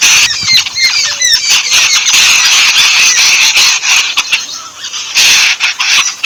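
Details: Yellow-billed babblers bathe in Sri Lanka amid shrill, rapid chatter; squeaky rising notes and raspy squawks crowd together, easing briefly before another noisy burst.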